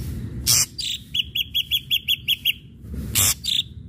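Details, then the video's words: Ashy drongo lure song used to provoke other birds into singing: a bright series of nine short, evenly spaced notes on one pitch, with loud rasping bursts before and after. "srigunting abu abu gacor PANCINGAN"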